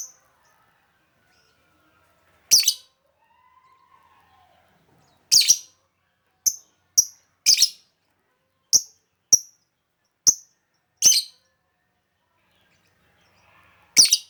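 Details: Calling lovebird used as a lure, its voice called melodious: a long run of brisk, shrill clicking chirps, some paired, irregularly spaced across fourteen seconds, with quiet gaps between.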